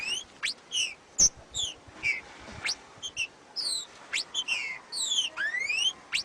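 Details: Trinca-ferro, the green-winged saltator, giving its macheado song: bright whistled phrases mixing falling slurs and steep upward sweeps, repeated in rapid succession with brief gaps between them, with no other clear sounds.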